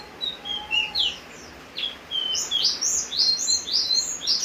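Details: Javan grey-throated white-eye in full song while it rains: quick series of high, clear whistles sliding up and down, growing into a rapid, lively run of bright notes near the end.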